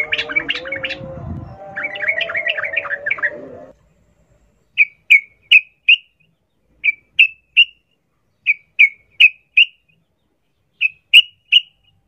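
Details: Sooty-headed bulbul giving the wild ngalas ropel style used to get caged birds singing: a noisy opening burst of rapid notes, then short clear chirps in clusters of three or four, separated by silences.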